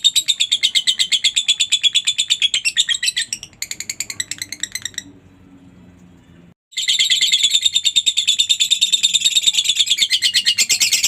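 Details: Lovebird ngekek chatter for training caged lovebirds: a long burst of shrill, buzzy notes repeated rapidly, broken by a pause of about two seconds, then a louder and denser run resumes to the end.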